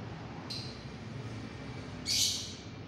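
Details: Lovebird calling from a distance: a thin, short squeak followed a second and a half later by a stronger, rasping shriek, over low background noise.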